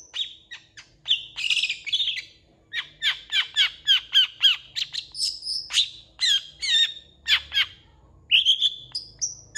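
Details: Long-tailed shrike song, a continuous, varied stream of harsh chattering notes, downward sweeps and buzzy phrases, ending in a few rising, high, thin whistles.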